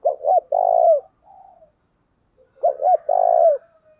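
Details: A decoy spotted dove coos to lure wild doves: two quick hooting notes, then a longer drawn-out coo, given twice.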